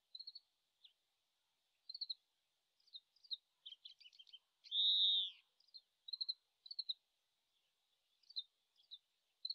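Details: Oriental greenfinch singing at a distance in Japan in late March, still practising its song, taken on a shotgun microphone: scattered soft chirps and short trills, then one loud nasal wheezing note near the middle, and sparse twitters afterward.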